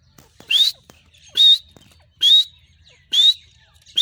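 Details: A calling female grey francolin gives a steady series of five short, shrill, rasping notes with a slightly rising whistled core, about one every 0.9 seconds, against near silence.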